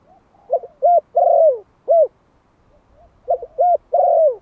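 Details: One-year-old male Malai spotted dove used as a Vietnamese decoy, calling to lure wild doves. Two matching phrases of soft lead-in notes, rounded hoots and a long falling coo, separated by a quiet gap.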